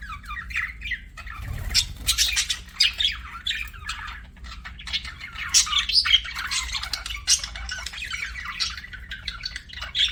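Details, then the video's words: Chattering pet budgies give dense, scratchy warbling broken by sharp squawks and clicks, with a continuous low background hum. "BUDGIE CHIRPING SOUNDS"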